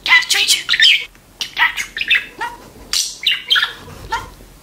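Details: Talking pet budgerigar: bright, scratchy chirps and short, warbled phrases in bursts of about half a second, separated by brief gaps, loud and close in a small room.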